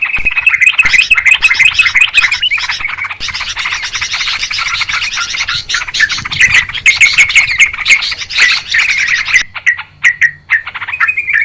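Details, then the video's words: Noisy Sooty-headed Bulbul flock calls used to lure birds for trapping: fast, continuous chattering of overlapping chirps, easing into sparser bubbly notes in the last seconds. "Suara trucukan ribut...suara jernih buat pikat"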